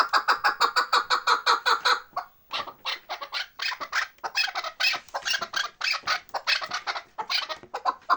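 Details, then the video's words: Chukar partridges in the Bartang valley of the Pamir: a fast, even run of harsh chuk notes about five per second, then a busier, overlapping jumble of clucking calls from several birds. "Кабки Бартанги Помир"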